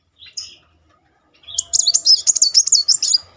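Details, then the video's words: Muncang sunbird singing in a rolling style, used as a lure to rouse a silent bird: a few faint high notes, then from mid-clip a fast, dense twitter of thin, sharp high chirps. "Kolibri Muncang gacor ngeroll || pancingan terapi memancing emosi Muncang macet."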